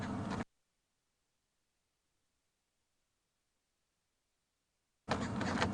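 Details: Brief bursts of broadband mechanical noise, like a door or vehicle, open and close a long stretch of silence, with no animal voice.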